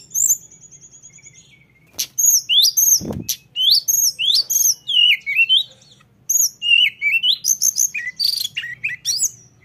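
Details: Lesser shortwing, locally mountain tledekan, delivering 'ngeroll' rolling song: a thin high trill, then rapid bursts of twisting whistled notes with a short break, one dull thump midway.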